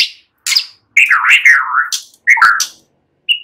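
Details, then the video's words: Relaxed White-rumped shama song with imitated cililin and ciblek phrases, used to lure other songbirds into singing: sliding, wavering whistles rising and falling between short sharp notes, with clear gaps between phrases. "Ocehan SANTAI MURAI BATU, NEMBAK CILILIN SAMBUNG CIBLEK"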